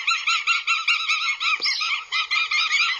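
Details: Northern goshawk chicks calling aggressively at a nest in Abernethy, Scotland, July 2022, picked up by a live nest camera: rapid, harsh, nasal repeated yelps, about two or three per second, run together almost without pause.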